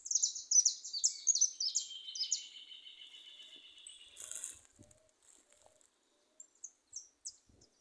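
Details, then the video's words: Goldfinches singing free in a small patch of woodland, a quick run of high tinkling twitters sliding into a sustained buzzy trill, then brief rustling and a few scattered high chirps at the end. "jilgueros cantando sueltos en un montecito de buen prio"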